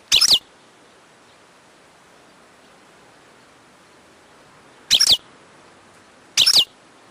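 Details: Wild European goldfinch making three quick, high, slightly buzzy chirps separated by long silent gaps, against a quiet hiss.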